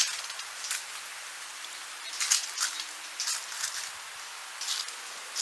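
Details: A Fox Sparrow foraging by double-scratching in dry leaf litter to uncover food: loud, crisp rustling bursts about once a second, with a faint high chip or two between them.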